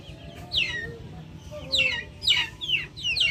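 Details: Backyard chickens give loud, sharply falling peeps in small bursts, with a few soft low notes between them and a quiet hum beneath.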